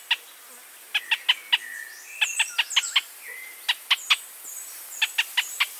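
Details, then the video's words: Pinto's spinetail: short, sharp, stacked notes in quick runs of three to four, with pauses between runs. Thin high whistles and slurred notes from other birds sound behind. "Pinto's Spinetail"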